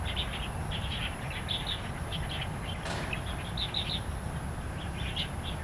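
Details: Wild starlings singing in Taiwan, with kapasan birds named alongside them: quick bright chirps in short bursts about every half second over a steady low rumble of background noise.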